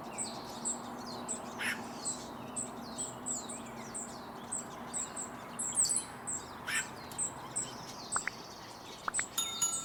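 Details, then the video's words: A hummingbird sings its courtship song from a treetop in California's Sierra foothills: a long series of tiny high squeaky notes at a steady pace of about two per second, with a few scattered clicks and knocks. "ハチドリ の鳴き声"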